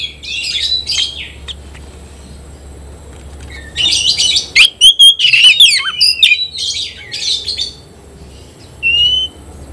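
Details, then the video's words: Kacer, or Oriental magpie-robin, singing against an opponent: quiet opening with faint distant notes, then a loud burst of harsh buzzes and sharp rising whistles, tailing into scattered softer phrases and one final whistle. "kacer gacor ngobra KONSLET nembak lawan tarung"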